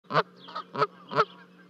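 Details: Geese at an osprey nest near Charlo, Montana, on 12 May 2020, as two goslings leap from the 30-foot-high nest to join their parents; four loud nasal honks about every third of a second, over a steady low hum.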